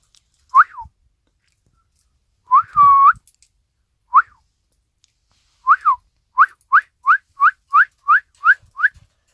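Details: Isabelle pearl cockatiel, a pet bird, recorded on Christmas Day, 25 December 2017: short whistled notes that rise and fall, scattered at first, then a quick even run of about ten chirps in three seconds.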